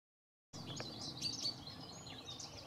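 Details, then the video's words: European pied flycatcher calling: short, sharp, high chirps and quick thin notes in a busy run, over a steady outdoor hiss. "The Pied Flycatcher and its call"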